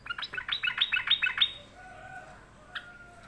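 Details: A sooty-headed bulbul in a sulking mood utters a fast series of about eight buzzy, chattering notes in under two seconds, followed by a faint drawn-out tone and a single short note.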